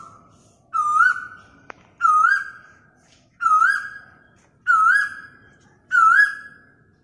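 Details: Asian koel, recorded on a mobile phone, gives five loud, rising whistled notes, each with a slight upward flourish, repeated about every second and a quarter against a quiet background.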